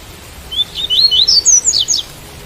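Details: Double-collared seedeater delivering its tui-tui song with rain sound behind it: a run of about seven bright, curving whistled notes stepping upward in pitch, lasting around one and a half seconds over soft continuous hiss.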